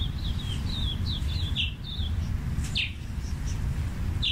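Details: Scarlet-chested parrot (Neophema splendida) gives thin, high twittering chirps in quick runs, then a few sharper single notes, over a steady low rumble.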